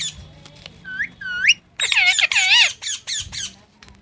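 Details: Parrot calling: two rising whistled notes, then a dense run of loud, harsh, wavering squawks, and a few short closing squawks.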